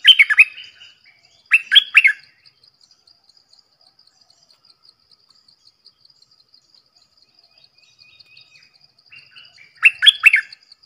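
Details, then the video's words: A Red-whiskered bulbul sings two bubbly phrases in quick succession, goes quiet for several seconds over a ticking insect background, then gives a third phrase of four or five whistled notes. "เสียงนกดอกแตงEp.105 Birds sounds"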